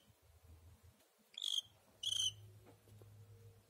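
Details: Pet cockatiel giving two short, buzzy, ringing chirps about half a second apart. A low droning hum fills the background throughout.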